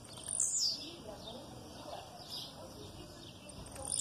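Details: Blue-black grassquit giving an aggressive song with female calls behind. One thin, high, falling buzzy note opens and another starts at the end, over soft background chirping.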